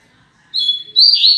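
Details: Caged Rusty-collared Seedeater song, praised as top-quality; a sustained high whistled note followed by a louder, slightly rising warbled phrase, clean with little background.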